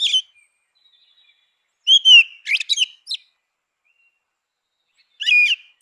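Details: Grey-winged blackbird delivering short fluty phrases: an opening note, a rich slurred whistle run into sharp chattering notes, then one more whistled phrase after a pause; calm, quiet surroundings.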